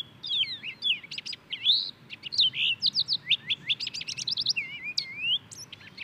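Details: Song of the purple finch (Haemorhous purpureus): a lively, continuous warble of sharp chirps, trills and looping slurred whistles, varied in pitch and rhythm across several seconds, with quiet background noise.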